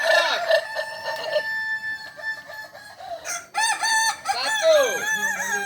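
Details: Kokok Balenggek roosters crow together at a practice contest in Ampang Kualo, Solok city. Long sustained crows with bright harmonics give way to a brief gap, then fresh crows with sharp curved notes, several birds overlapping.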